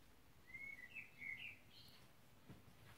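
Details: Common blackbird singing, recorded 21 May 2020: a short, fairly faint run of fluty, warbled notes in a mid pitch, ending in a few higher, thinner notes against a low background rumble.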